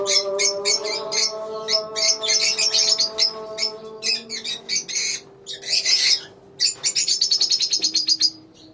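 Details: Colony of lovebirds giving harsh, high squawks and chirps in fast choppy bursts, ending with a quick run of evenly spaced shrill notes; a faint steady tone lies beneath the first half.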